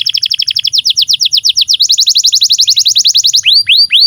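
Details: Canary song for teaching young canaries and silent birds: a rapid chattering trill of short notes at about four per second rises in pitch midway, then gives way to three slow, arching whistles.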